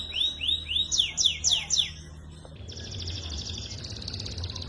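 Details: Young canary song for training: a run of looping whistled notes, each rising then falling, about four per second, then a buzzy high trill after a short break, over low hum.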